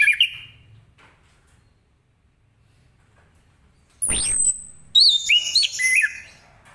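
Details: Ngeplong morning song from an orange-headed thrush, aimed at getting other birds singing. A short whistle opens, then a long pause. A sharp descending swish follows, then a quick series of high, twisting whistled notes.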